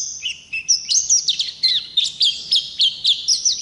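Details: Oriental white-eye opening with high, thin, drawn-out whistles, then breaking into a brisk series of sharp chirping notes, about four each second.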